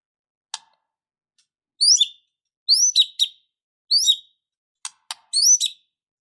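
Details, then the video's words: White-rumped shama, described as fighting and emotional, giving bright whistled phrases that slide down, spaced about a second apart, with sharp clicks between them in a quiet setting. "Murai batu Super Loyo tiba Tiba Serontak Emosi Fighter,Dengan Suara Murai Batu Gacor Full isian Ini"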